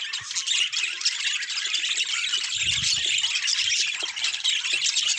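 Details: Several budgerigars in a natural recording, a steady wall of high-pitched twittering and harsh squawks, with one brief low thud near the middle.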